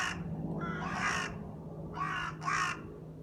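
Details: A crow, said to dance as it sings, utters three rasping caws: one longer call, then a pause, then two quick calls close together, over a low background hum.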